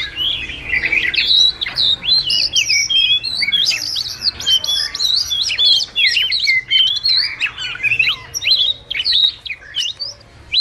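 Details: A wagtail calls its flock in this trap-lure recording, pouring out a dense, busy twitter of shrill chirps, slurred whistles and sharp ticks for about ten seconds, tapering off near the end.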